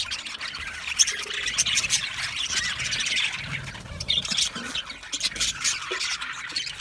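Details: Australian budgerigars keep up a continuous mix of soft warbling and squeaky chirps, with one sharp click-like note near the start.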